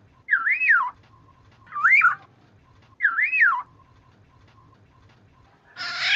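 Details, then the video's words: Black-naped Oriole calling as a lure to draw other orioles into calling: three loud fluted whistled phrases that rise and fall, spaced about every 1.3 seconds. A faint steady tone and low hum sit beneath, and a harsh burst arrives at the end. "Suara burung kepodang"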